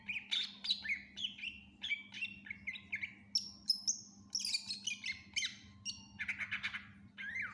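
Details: Greater green leafbird, called cucak ijo, in full varied song: rapid series of downslurred whistles, then very high thin piping notes and harsh chattering phrases, delivered in quick succession over a low steady hum.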